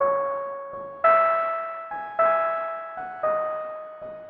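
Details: Electric piano notes play a slow melody, with no animal sound.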